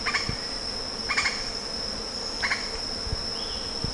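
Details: Lettered aracari calling: short, harsh, stacked notes repeated about every 1.2 seconds over a steady high-pitched insect drone.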